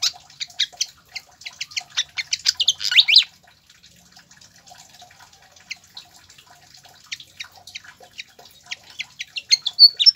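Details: Pied fantail song for encouraging caged birds to sing: a lively rush of high chips and rising squeaks for three seconds, a quieter stretch of soft ticks, then loud sharp notes again at the end.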